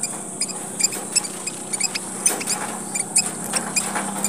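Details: Tiny red munia of Papua calling as a lure: repeated thin, high squeaks several times a second, with a steady high hiss and faint low hum behind.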